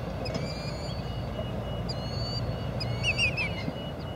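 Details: Killdeer on a Panasonic TM90 camcorder recording: several high, thin, drawn-out whistles, then a hurried cluster of short rolling notes near the end, with a deep steady rumble behind.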